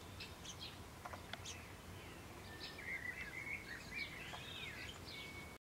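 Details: House sparrow chick sitting in the middle of food while its mother feeds it; thin, high chirps and short squeaky notes come in loose, uneven bursts over steady low background rumble.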